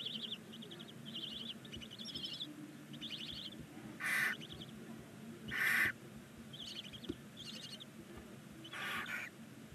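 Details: In a chimney-mounted nest box at Ságvár, Hungary, nine barn owl chicks on day 19 make scattered short wavering chirps, broken by three louder breathy hisses spaced a few seconds apart.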